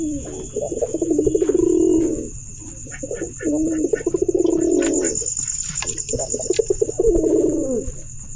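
Pigeon giving three long, low, throaty rolling coos, each about a second and a half, with softer clicks and chirps between and a steady high hiss behind.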